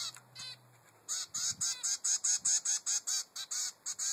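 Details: After a brief quiet start, a three-week-old male zebra finch chick begs its mother for food in an insistent, evenly spaced series of loud nasal calls, about two to three each second.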